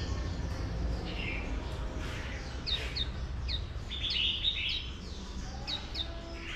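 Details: Wild-caught male oriental white-eye being stirred by a female to sing líu; a stream of high downslurred notes and brief buzzy trills sounds above continuous low background noise.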